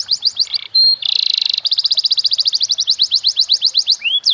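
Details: Canary master song, fancy melodic style, played to train young birds: sweeping notes, a short buzzy trill, then a long accelerating run of fast high chips ending in slurred whistles.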